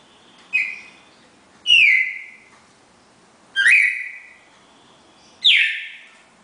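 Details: Classic four-note Bagé song from a red-crested cardinal pair, four clear whistled notes with bright onsets falling into sustained tones, spaced about two seconds apart with soft clicks before each.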